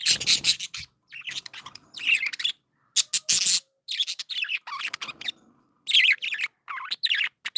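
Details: Happy pet budgies chatter in bursts of harsh, buzzy chirps and rapid warbling notes, broken by short silent gaps.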